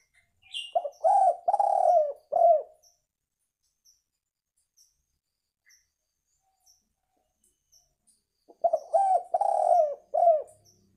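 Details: Spotted dove (tekukur) calling, a recording meant as an effective lure for catching birds: two clear low cooing phrases of about four mellow, slightly rising and falling notes, separated by a long pause with faint high ticking.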